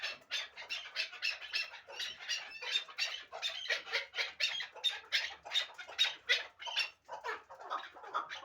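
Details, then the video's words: Hybrid partridge, kept for fighting and hunting, utters a fast series of scratchy, higher-pitched chuck notes with brief pauses between bursts. "Кабки Гибрид"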